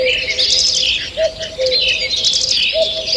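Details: Forest birds singing in the morning, 2 June 2023. Bright, overlapping chirps and warbled trills fill the upper range, while a deep two-note coo sounds roughly every one and a half seconds underneath.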